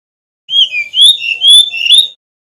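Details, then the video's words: Bali male Brown-chested jungle flycatcher singing a fluting song meant for tutoring other birds: a short phrase of smooth, pure whistles, each rising or falling, strung together over about two seconds on a silent background. "Kicau Burung Sikatan Rimba Dada Coklat (SRDC) Bali Jantan Nyuling Gacor Isian Keluar"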